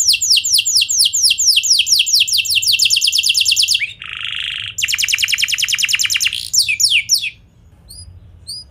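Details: Canary song used to draw other canaries into answering and singing: fast rolling trills of descending high notes, a brief buzzy harsh phrase near four seconds, then more rapid trills and a few thin high chirps at the end.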